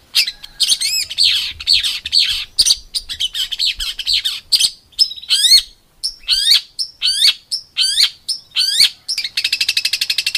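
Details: Competition-bird masteran in the rough 'tembakan kasar' style: a varied run of high downslurred whistles, chips and looping notes, ending in a fast buzzy rattle.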